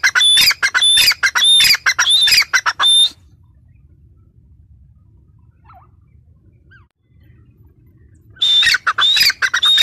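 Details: Female grey francolin, or teetar, gives a three-second burst of piercing, scratchy repeated notes, each with a high whistled start. Five quiet seconds with a faint murmur follow, then the harsh rhythmic calling returns.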